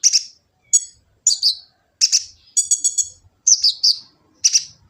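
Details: Kolibri ninja sunbird in Gresik, East Java, giving a lure song meant to get other birds singing: bursts of very high, thin chirps and short trilled phrases separated by brief pauses. Phone recording.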